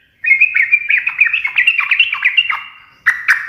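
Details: Yellow-vented bulbul delivering one long run of rapid, tumbling chattery notes that rise and dip, trailing off into a fading note, then a fresh sharp burst begins.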